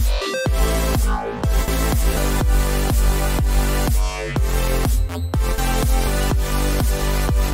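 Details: Loud electronic dance music with a steady pounding beat and layered synthesizer tones throughout; no animal voices can be heard.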